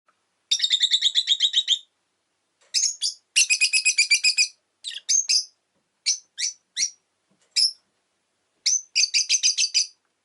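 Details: Rosy-faced lovebird, a pet orange bird, recorded shortly before its death: bursts of rapid, harsh, buzzy chirps in fast rattling series, interspersed with single sharp chirps and pauses.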